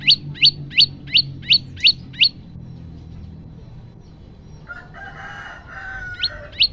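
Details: Male prenjak lumut (prinia) singing 'tembakan' style, phone-recorded: a quick run of seven rising chirps, then a pause, then a lower drawn-out call and two more chirps at the end.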